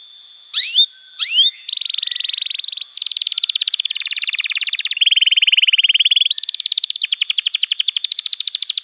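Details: Canary song for tutoring young canaries and prompting silent ones to sing: two upswept whistles, then a chain of dense buzzy trills switching pitch every second or so, continuous and high.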